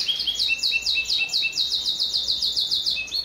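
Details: Canary in sharp, vigorous song with long rolls, suited as tutor material: fast high trill phrases repeating in quick succession, alternating with short lower trilled notes.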